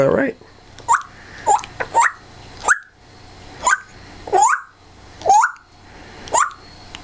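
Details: Pet African grey parrot being silly indoors: a run of about nine short rising squawks and squeaks, some closely paired, repeated every half second or so, after a brief human voice at the start.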